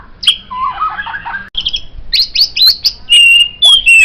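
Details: A white-rumped shama sings a varied phrase meant for tutoring songbirds: a warbled low chatter, then a string of rising whistled notes, ending in long, pure steady whistles.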